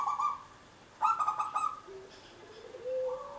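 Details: Zebra dove of local stock singing as a lure for other doves: short bursts of fast, stuttering cooing notes, one roughly half-second and one longer, followed by softer lower wavering tones rising toward the end.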